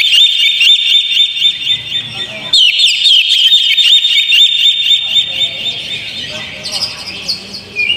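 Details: Lure song of an Oriental magpie-robin, played to stir a caged bird into singing: rapid looping whistled twitters packed closely, a short break partway, then scratchier higher notes toward the end.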